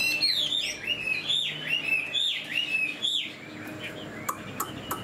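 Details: Caged Chinese Hwamei with fanned tail and fresh new plumage, singing while flicking its tail like a laughingthrush: loud, clear whistled phrases that swoop down and up, repeated about once a second, then fading into faint clicks and rustling.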